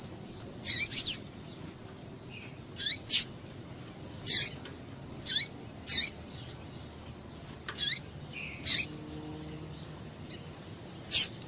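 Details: Female double-collared seedeater calling to stimulate males: sharp, high chirps given singly or in quick pairs, about a dozen over eleven seconds, some with short whistled tails, over a quiet background.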